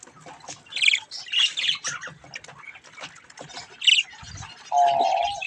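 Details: Young budgerigars at play with a mirror give rough squawks and chirps in short bursts, with a steady whistled tone near the end and faint clicks between calls.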